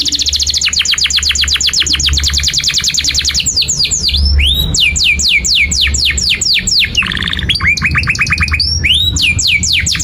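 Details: Canary singing a long, unbroken song as a model for young canaries: a fast high rattling trill, then rows of steep downward sweeps, a brief lower buzzy trill and more sweeping notes.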